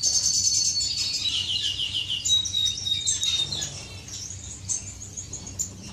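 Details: Finches courting inside an aviary, recorded 10 May 2015: a rapid, even trill of high chirps runs for about two seconds, then a thin whistled note, over several overlapping high twittering birds and a low background hum.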